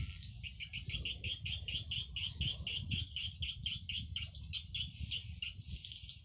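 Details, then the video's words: Swiftlet calling sound played over an amplifier for swiftlet farming: a fast, even series of high, rattling chirps, about four per second, over a steady low hum. "Suara panggil PJW"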